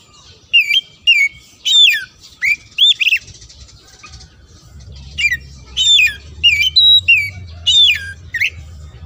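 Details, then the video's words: Oriental magpie-robin song aimed at provoking opponents: ringing whistled phrases with downward sweeps come in clusters, a brief pause, then another rapid cluster over a faint low hum. "Kacer Gacor Bikin Emosi Lawan Suara Isian Jeda Ngeplong"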